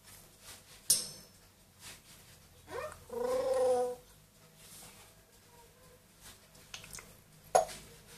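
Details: Pet parrots indoors, a two-year-old grey parrot and a one-year-old Amazon, which talk, sing and mimic sounds: a short rising sweep, then a tonal, harmonic-rich warble about one second long, with sharp clicks before and after.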